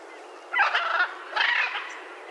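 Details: Macaw calling: two harsh, raspy squawks about a second apart, broad and noisy, with no other sounds.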